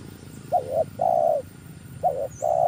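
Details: Decoy spotted dove used for luring: two coo phrases, each a brief note and a wobbling note followed by a long, even, mellow coo. A faint high chirp is heard in the background.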